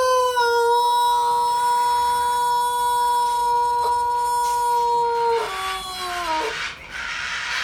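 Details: Rooster from Nong Chok district, Bangkok, Thailand, presented as having the world's longest crow: one steady, rich, even-pitched tone held for about five seconds, then a wavering, falling tail before breaking off.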